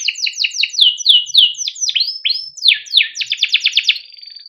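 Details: Well-kept canary in long 'cuit cuit' song used as a lesson for young birds: a chain of bright downslurred whistles, then a rapid roll of short notes fading into a thin held tone.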